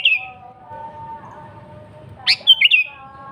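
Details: Sooty-headed bulbul in lively song. One complete phrase: an abrupt upward note, then a rapid run of three rolling, liquid notes, preceded by a clipped phrase ending. A faint hum runs beneath.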